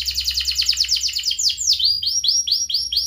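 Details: Ngerek-style canary song, a lure for young and reluctant canaries: a fast rolling trill of dense high notes breaking into a long downward swoop, then evenly spaced falling whistles, about three per second.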